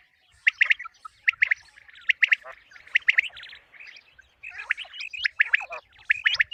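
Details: Common quail calling as a hunting lure for mornings: clusters of quick clipped chirps repeat about once a second, later mixed with rougher buzzy notes and overlapping callers.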